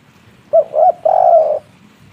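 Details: Spotted dove in its native local voice, used as a lure to get birds calling: two quick arched coos followed by a longer, rolling, slightly descending coo, loud and clear against a low murmur.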